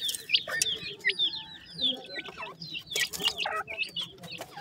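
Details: Grey francolin chicks, called dakhni teetar, uttering clear, high whistled peeps, some long and level and others falling, mixed with clicks and a few louder knocks.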